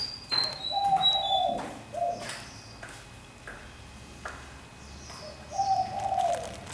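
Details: Fantail bird caged for one year in a large space, singing high whistles followed by lower downslurred fluty phrases, repeated in short bouts with quiet gaps and soft clicks between them.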